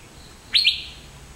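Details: In Western Ghats evergreen forest, an Asian fairy-bluebird utters a single bright double whistle: two quick rising notes running into a sustained tone, with a still, quiet background.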